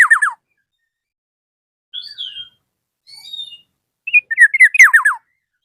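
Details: Black-naped oriole challenging a rival. A rapid descending triplet is followed by soft high twittering whistles, then a full phrase of rising notes that drops into a quick series of falling fluty slurs.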